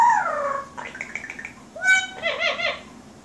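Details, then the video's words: A female pet yellow-naped amazon calling for the household cat gives a falling whistle, a brief run of chattering notes, then a flat tone and loud, wavering, voice-like calls. "Bird calls cat"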